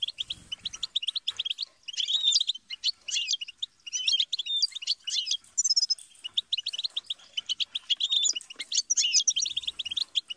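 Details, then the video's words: Continuous twittering song from a European goldfinch: bright, high, closely packed chirps and liquid warbles, a fast buzzy trill near the middle, and short pauses between phrases; faint low knocks at the start and end. "Best guide for teaching and motivating songbirds - Goldfinch"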